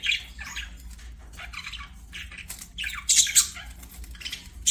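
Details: Budgies singing as they play, giving a run of scratchy warbles and squawks that grows louder and harsher toward the end.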